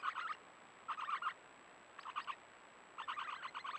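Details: Swift parrot chicks in a nest in Tasmania during the breeding season screech in four harsh, raspy bursts about a second apart, over a faint steady high whine.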